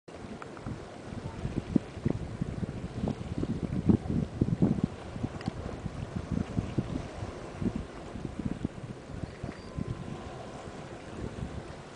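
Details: Boat engine rumble and wind buffeting the microphone, with lapping water and no animal calls.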